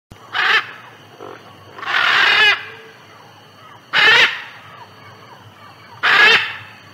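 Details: A macaw in Amazonia gives four loud, harsh, raspy screeches roughly every two seconds, the second one longer and drawn out, with quiet background between calls.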